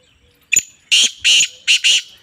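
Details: Female black francolin voicing a harsh grating phrase. A brief sharp click precedes four loud raspy notes, two evenly spaced and then a fast pair, against a quiet background with a faint continuous high tone.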